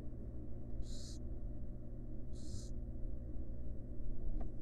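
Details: Barn owl mother at rest with her chicks in a wild monitored nest box; two drawn-out rasping hisses, then a faint click near the end, over a constant low hum.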